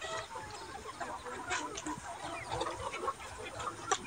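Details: Daytime flock of Ga Noi, Ga Tre and crossbred chickens ranging freely in a spacious yard; fairly quiet, continuous clucking and short upward squeaks from several birds close together.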